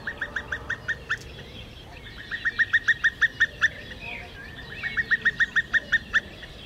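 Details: Female common cuckoo calling at the end of a stork-nest recording gives three fast bubbling runs of about seven to ten liquid, mid-pitched notes each, the runs a couple of seconds apart, over a soft background hiss.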